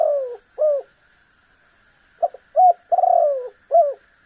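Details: Spotted dove in lively calling, meant to provoke a rival into calling: short hooked coo notes, then a clipped pair and a long, buzzy, falling coo, with a faint steady high hum behind.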